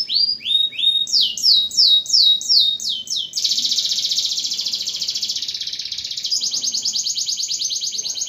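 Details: Lively singing canary, used to prompt silent canaries to sing again, pouring out sweeping downslurred whistles then a long high buzzy rattling trill, bright and continuous.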